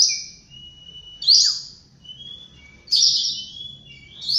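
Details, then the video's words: Oriental magpie-robin singing in the morning: two strong, bright whistled bursts that trail into long, thin, level tones, with softer high sustained notes between them. "Birds Chirping In The Morning| Natural Sound of Birds Singing|Oriental Magpie-Robin"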